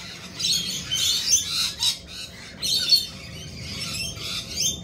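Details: Lorikeets give shrill, scratchy screeches in uneven bursts, several birds overlapping, over a faint low hum.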